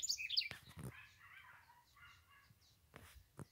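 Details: House wren singing in the Cariri environmental protection area: a rapid, bright, jumbled burst of high notes at the start, then fainter chirps and warbles from other birds in the background.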